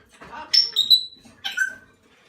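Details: Hand-fed salmon-crested cockatoo chick under a month old making two raspy calls, each ending in a thin, drawn-out whistled note, indoors.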